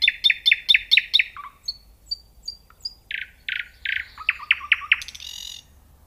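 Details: Nightingale song in clean quiet surroundings: a rapid run of loud repeated notes, a few thin high whistles, then a series of harsh descending notes and a closing buzzy trill.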